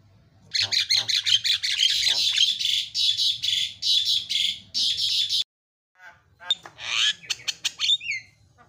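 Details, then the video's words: Javan myna (jalak kebo) song for training other mynas, with 'isian' fill phrases: a long, loud stream of shrill, buzzy chattering, then a silence and a few squawks and rising whistled notes. "KICAUAN JALAK SUPER MANTAP"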